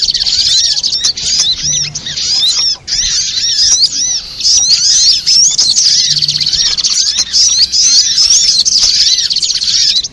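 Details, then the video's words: Lure recording of spiderhunter for bird trapping, packed with rapid high-pitched chirps and thin twittering notes that run almost without pause, overlapping one another throughout. "suara pikat burung sogok ontong"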